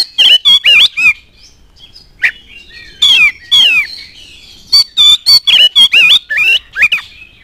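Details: Oriental magpie-robin in full song as a lure for other magpie-robins: bursts of loud, varied whistles and harsh buzzy notes delivered roughly twice a second, separated by brief pauses.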